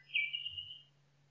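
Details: Nightingale singing in a forest: one short, bright whistled note near the top of the range that slides and fades within under a second, over a steady low hum.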